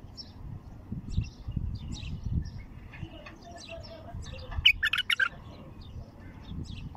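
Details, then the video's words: Raw wild bulbul in its first heavy-throated song: faint scattered chirps, then one quick bubbling phrase of several bright, liquid notes, against a steady low hum. "تغريد بلبل وحشي خام أول فتحه حنجره ثكيله"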